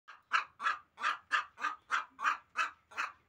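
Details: Hen giving harsh, nasal squawking notes in a steady series, about three per second, each note short and mid-pitched.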